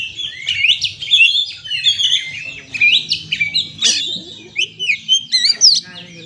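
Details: Oriental magpie-robin singing a lure song meant to stir stressed birds into song: a dense, continuous stream of rapid chirps, twitters and slurred whistles with frequent sharp notes.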